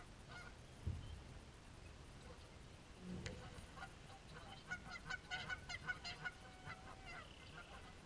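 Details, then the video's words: Geese caught fighting: after a quiet start with a few thumps, a burst of harsh nasal honks builds up in the second half, irregular and overlapping. "Fighting Geese"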